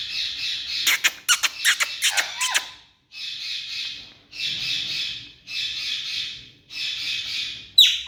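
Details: Tame ringneck parakeet screeching: after a flurry of sharp clicks and short notes, a string of long harsh screeches repeated roughly once a second, ending in a sudden sharp squeal.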